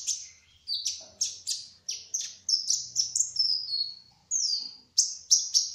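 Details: Kolibri ninja, a spotted trotol type, singing vigorously in a rolling ngerol style: a rapid series of sharp, high, descending chirps and slurred whistles, repeated about every half second, with brief pauses between.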